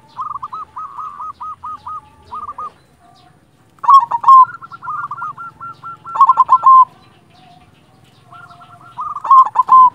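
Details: Local silver zebra dove singing actively. Short hooked cooing notes repeat rapidly in runs, broken by louder rolling bursts, with pauses between phrases.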